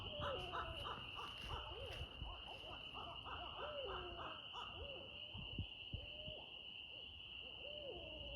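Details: Barred owl in a lively bout of arched hoots and drawn-out slurred notes, some overlapping as if more than one bird, with a continuous high insect drone and scattered clicks.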